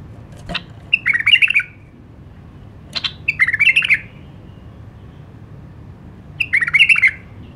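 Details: Iraqi nightingale (White-eared bulbul) repeating short liquid warbled phrases three times, roughly every two to three seconds, each preceded by a faint click, in a quiet setting.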